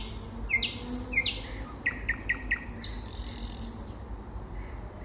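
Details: Spring song of a common nightingale: bright whistled phrases, then a run of four identical clipped notes repeated rapidly, and a longer high whistle. A faint low hum sits beneath.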